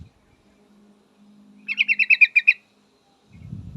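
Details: Yellow-vented bulbul female calling to a male, giving one short burst of about eight rapid, bright, clipped notes on an even pitch, with a soft low hum before it and rustling after.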